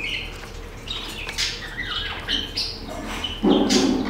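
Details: Great-tailed grackle in a garden in Nezahualcóyotl, State of Mexico, giving short whistled notes and rising squeaks, then a louder harsh burst near the end, over a steady low hum.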